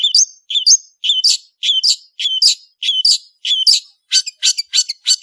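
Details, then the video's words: Long-tailed shrike singing vigorously. Paired whistled phrases, low then high, repeat almost twice a second, ending in a burst of harsher scratchy notes. "BURUNG CENDET GACOR"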